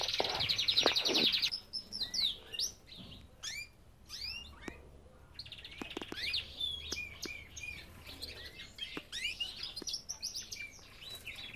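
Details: Belgian canaries kept in an aviary: varied high chirps and sharp downward slurs delivered in bursts, some rapid trills, several birds overlapping, with occasional clicks and knocks in between.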